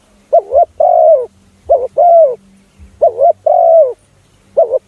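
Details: Spotted dove lure sound for drawing in other doves: gentle hollow coo phrases, each a short undulating note then a longer steady coo. Three full phrases sound in quick succession, and a fourth begins at the end.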